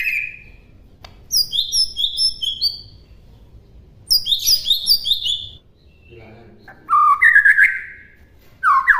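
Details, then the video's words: Master song of an Oriental magpie-robin, used as a model for birds to copy: bursts of crisp high descending whistles in quick series, separated by short gaps, ending in lower rich warbled phrases. "MASTERAN MURAI BATU MUDAH DI TIRU AUTO LANGSUNG LATAH"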